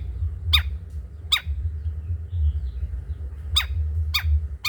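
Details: Long-tailed shrike, cendet trotol type, as a master recording for other birds: sparse sharp downward-slurred notes, some in quick pairs, separated by pauses, with a constant low hum.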